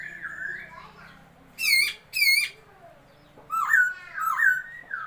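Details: A new laughingthrush, recorded 27/2/2022, gives two sharp, harsh, ringing notes, then rising and falling whistled phrases, after an opening of softer wavering whistles.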